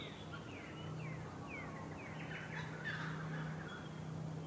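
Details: Brown thornbill (Acanthiza pusilla) in Victoria, Australia, in September, giving quick, thin downslurred notes, then a brief jumbled twitter, over a steady low hum.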